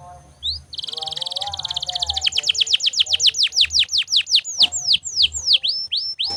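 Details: Singing canary, for training other birds; a rapid rattling trill that shifts into a steady run of clear downward-sliding whistles, gradually slowing, over a faint low hum.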